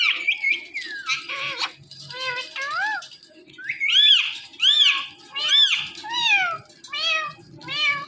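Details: Talking Indian ringneck parakeet kept as a pet, repeating arched, harmonic meow-like mimicry roughly once a second, with some squawky chatter and faint background noise in a small room.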